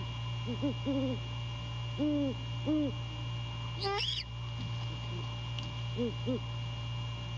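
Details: Male great horned owl at night, 1/15/22, calling to his mate while checking the nest during courting at The Landings: soft low paired hoots with a steady hum beneath, one brief high rising squeal mid-clip, hoots resuming near the end.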